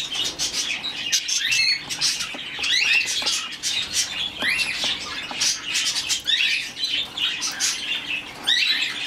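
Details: Young hand-reared rescued budgerigar chick, female, chattering in quick, scratchy chirps and rising squeaks almost without pause, over a faint steady low hum.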